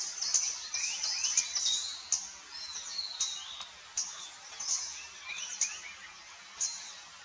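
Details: Palani laughingthrush, a Kerala laughingthrush subspecies: a lively run of high chirps, sharp downslurred whistles and twittering notes packed closely together, with a few clicks and a faint hiss behind.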